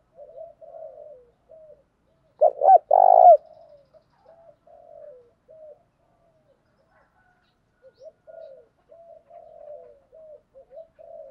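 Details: Caller spotted dove used as a lure for wild doves, alternating song patterns: one loud burst of coos amid many soft, short, low coos repeated at intervals through quiet stretches.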